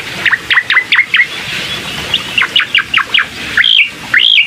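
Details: Bar-winged prinia singing, a lure track to get a bird that is slow to sing going: rapid run of clipped, high, downslurred chirps, then a few longer upswept whistles.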